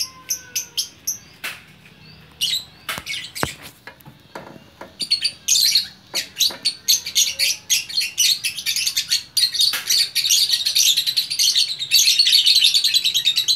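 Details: Lovebird in Bukittinggi, West Sumatra: isolated sharp chips and clicks at first, building into a continuous run of fast, high, scratchy chattering.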